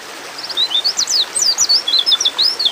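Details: A breeding-mood female white-eye calls for a male with a steady run of high, sweet, slurred chirps, rising and falling notes following one another quickly for nearly three seconds.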